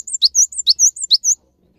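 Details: Short bout of Cinereous tit song aimed at prompting stalled caged birds to sing: brisk, high, evenly spaced phrases, a steep descending note and a looping whistle, about four in just over a second, then silence.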